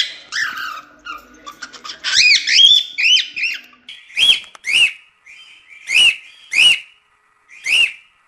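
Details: Cockatiel song for chick training begins with a burst of mixed chatter and rising whistles, then settles into separate, strong upslurred whistles repeated roughly every second with short gaps.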